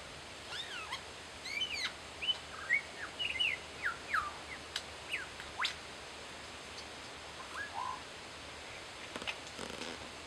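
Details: Lyrebirds mimicking kookaburras and laser guns: a rapid, varied run of sharp chirps, whistled upward and downward sweeps and clicking notes, irregularly spaced, over steady outdoor background hiss.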